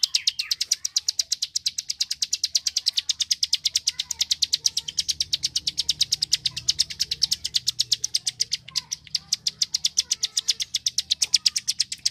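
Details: Prenjak klik, a Bar-winged prinia of rice fields, kept as a master recording for training contest songbirds: a very fast, unbroken stream of dry, high ticking notes running steadily for twelve seconds.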